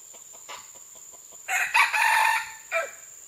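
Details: Red junglefowl, June 12, 2011: a series of soft, rapid clucking notes leads into a loud, raspy crow with a stuttered start and a sustained middle, ending in a short separate note. A constant high insect whine sits in the background.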